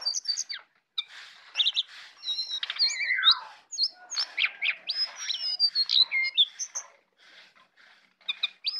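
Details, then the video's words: Jongkangan singing in the morning: bursts of bright chirps and short whistled notes with quick rising and falling slurs, broken by brief pauses. "jongkangan ocehan di pagi hari"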